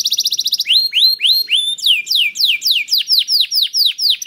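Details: Canary singing as a prompt for other canaries: a fast high trill, then upswept whistles, followed by a regular series of loud falling whistled slurs about four per second.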